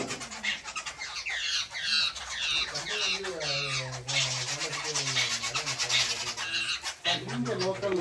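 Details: Jungle babblers (Argya striata) at Manjolai hill station, Western Ghats, Kalakad Mundanthurai Tiger Reserve, Tamil Nadu, among tea estates and evergreen forest, eager for food scraps, give harsh, squeaky overlapping chattering calls while a person talks midway.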